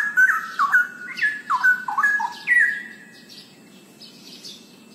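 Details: Vigorous straw-headed bulbul song, with rich whistles gliding and dropping in quick steps for about three seconds. Faint background chatter follows.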